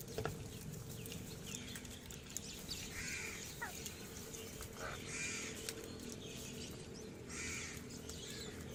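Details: Crows rushing in to feed give three fairly faint, hoarse caws spaced about two seconds apart, over a hissy outdoor background with small bird chirps.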